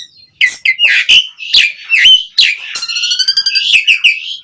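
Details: Asian pied starling singing continuously, used as a lure to get other starlings singing: loud bursts of harsh, buzzy notes mixed with sharp whistles sliding down, then a rapid rattling passage near the end, with no other sounds.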